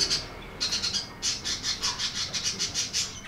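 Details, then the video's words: Lovebird 'ngekek' chatter for training silent lovebirds: a fast, even series of shrill, raspy pulses, roughly five or six per second, after a brief pause at the start. "MASTERAN LOVEBIRD NGETIK NGEKEK PANJANG FULL DURASI!!"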